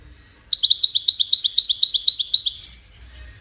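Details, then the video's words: Goldfinch song of the widani style, aimed at teaching chicks, opens with quick repeated tinkling notes at a steady beat, then a short rising and falling buzzy flourish, about two seconds long. "تغريد ويداني لتسميع فراخ الحسون"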